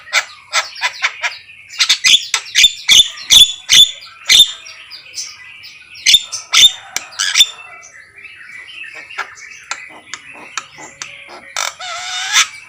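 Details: Javan myna, a captive bird kept to sing freely, giving a rapid run of harsh broadband clicks and squawks mixed with short whistled notes, then a rising whistle near the end.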